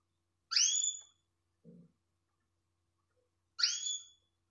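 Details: Calling female canary, a call said to excite males: two bright upswept whistles about three seconds apart, with a brief low thump heard between them.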